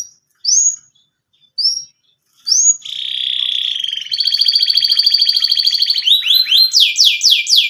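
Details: Canary in breeding condition, eager to mate, singing: a few short rising whistled notes, then a buzzy rattle, a fast rolling trill, and a run of quick descending sweeps at the end.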